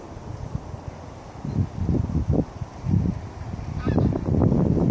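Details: Flock of geese flying overhead in V formation, giving low, rough honks in irregular bursts that grow louder and more crowded toward the end, over a steady background rumble.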